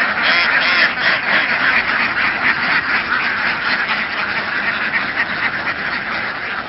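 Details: Laying ducks herded as a flock across Vietnamese fields and onto a boat. Massed quacking pours out in a dense, buzzy wall of sound, slightly louder at the start and easing off toward the end.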